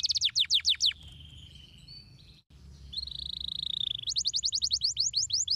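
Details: Canary with stimulating song for a lazy bird: a quick burst of falling notes, a long thin sustained whistled trill with a brief gap, then fast repeated downslurred notes again.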